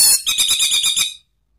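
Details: Orange-headed thrush lure sound for cage birds, in the ngeplong and ngeriwik styles: one rapid, high, buzzy trill of about seven pulses that stops abruptly after roughly a second.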